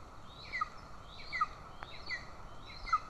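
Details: Golden eagles, Estonia, 20 June 2024, mother feeding an aggressive chick: paired high squeaky notes, each a quick falling chirp, repeat roughly every 0.8 seconds above a humming background, with a single click.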